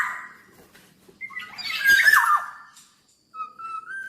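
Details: Energetic black-naped oriole (gacor): a thin whistle, then a loud, noisy, grating squawk burst, silence, and soft level whistles at the end, over a faint low hum.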